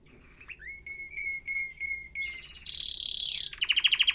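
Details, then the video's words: Canary singing a long sustained whistle that ends in a rapid bright trill, followed by loud clipped high syllables repeated quickly, with faint background hiss. "تغريد كناري احترافي"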